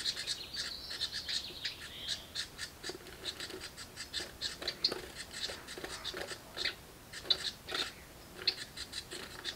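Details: Brood of young house wrens in a nest box clamoring for food from parents, a continuous stream of harsh, scratchy high calls overlapping one another with little break.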